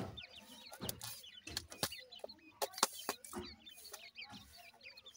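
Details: Grey francolin chicks calling their mother: a busy chorus of high, wavering peeps and short upslurred whistles, mixed with repeated sharp tapping and knocking sounds.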